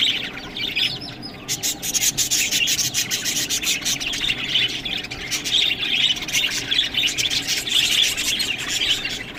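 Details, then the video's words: Budgerigars feeding on green food give a dense, continuous chirping warble, bright and busy, over a steady scratchy rustle and crisp clicks from eating. "Budgies Food Beautiful Best Green Food Eating"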